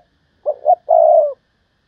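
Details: One phrase from a decoy spotted dove in thúc bổi calling: two brief low notes, then a sustained, slightly falling, throaty coo.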